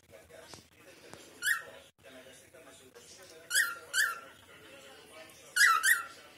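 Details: Pet cockatiel chatting to a companion indoors: scattered short, raspy, bright calls, a single one, then a pair, then a close double burst, over a quiet room murmur with faint clicks.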